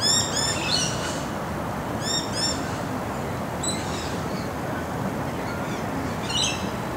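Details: Laughing kookaburra at a spot where a parent bird has been fed shredded steak for about a year, beside bush, while adults feed their chicks; rapid clusters of harmonic chuckling notes, then softer scattered notes over steady broadband hiss.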